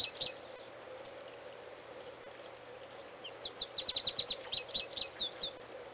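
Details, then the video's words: A male goldfinch sings at close range. A short burst opens the clip, then after a pause comes a rapid run of high, sharp twittering notes lasting about two seconds, over a steady low hum. "Goldfinch Singing, Part 2"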